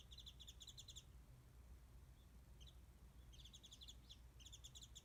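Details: A Warbling white-eye sings from high up, fairly far away, above a garden feeding spot where it is fed mandarins, in Japan, with a Japanese bush warbler perched nearby; thin, very high, fast twittering phrases about a second long over a low rumble.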